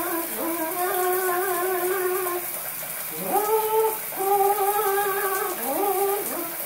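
A harlequin macaw sings drawn-out, voice-like tones that swoop upward into each held note, four phrases in under seven seconds, over the steady hiss of running shower water.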